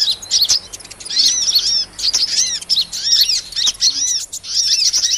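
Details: Shrill sunbird (kolibri) twittering from a lure track for small birds: quick trills of high chirps and arched whistles in bursts lasting about a second each.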